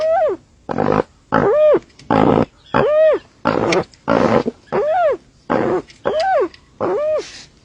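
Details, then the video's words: Strange calling by a dusky-legged guan: about twelve loud notes, roughly one and a half per second, alternating between rough nasal honks and clear arched notes that swoop up and down. "VOCALIZAÇÃO ESTRANHA DO JACUPEMBA."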